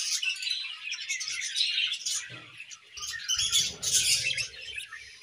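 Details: A pair of budgerigars in an aviary on a morning, singing a dense, continuous high chattering warble with scratchy trills and squeaky notes, swelling and fading over several seconds. Faint low thumps sit underneath.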